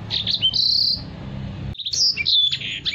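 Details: Short burst from a caged Black-throated canary used to tutor other cage birds: a sustained high whistled note, then a brief silence and a quick run of slurred, chirping whistles.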